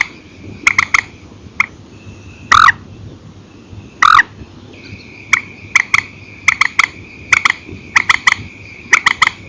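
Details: Purple swamphen calling at night in singles and pairs, from an old recording: clipped notes, two longer louder harsh cries early on, then quick paired notes over a high steady hum.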